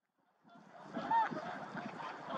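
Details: Mallards in a love fight at a reservoir give a rapid run of harsh, nasal chattering quacks, uneven and overlapping, building after a brief quiet start.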